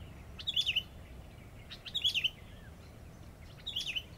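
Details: A sooty-headed bulbul kept as a decoy bird sings three short, bubbly, liquid whistled phrases about every one and a half seconds over a faint low hum.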